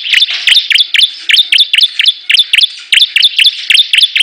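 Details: Bar-winged prinia (ciblek) in a competing-bird song duel: crisp, high, emphatic chips repeated about three to four times a second in a steady, insistent rhythm.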